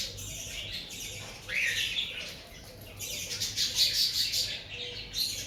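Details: Breeding-season cockatiels: a rising screechy call, then a run of quick, bright repeated chirps about five per second, with other harsh calls and a low hum behind.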